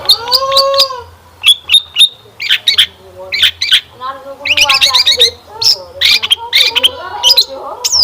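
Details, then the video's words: Long-tailed shrike gacor song played as a lure so other shrikes answer and sing, rich in fill-in phrases: sharp high chirps over sustained lower whistled tones, then dense bursts of varied squeaky notes. "Kicauan Cendet Memukau! Pancingan Cendet Gacor Full Isian Mewah"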